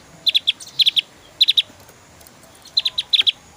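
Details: Javan grey-throated white-eye delivering a lively 'tembakan' shooting-style song: short clusters of two to three piercing, high chips, repeated rapidly in a stuttering series over a faint background hiss.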